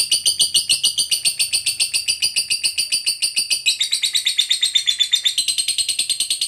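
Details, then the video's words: Long ngekek trill from a fighter lovebird, sung as a lure so other lovebirds answer: a continuous rapid rattle of shrill, scratchy notes, steady in pace, lifting slightly in pitch toward the end. "PANCINGAN SUARA BURUNG LOVEBIRD NGEKEK PANJANG"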